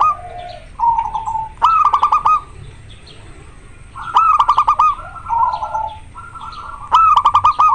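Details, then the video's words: Local zebra dove in breeding condition, singing often and clearly: rolling cooing phrases, three of them opening with loud sharp clicks, spaced by short pauses, with softer lower coos in between. "Perkutut lokal gacor sangat jernih suara lokal alam manggung koar koar over birahi"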